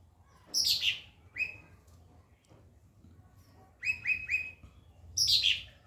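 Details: Tutoring song of a white-rumped shama, meant to teach other birds: a harsh falling sweep, a rising whistled note, a quiet gap, three rapid upslurred whistles, then a loud grating downward phrase.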